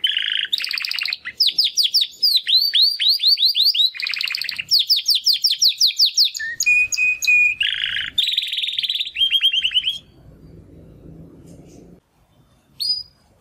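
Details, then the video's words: Young male Timbrado canaries, two captive brothers training their song after their first molt: rolling trills and quick descending chirp series, a steady whistle, then a final trill, with quieter pauses near the end. "Two Canaries Brothers - Canary training song"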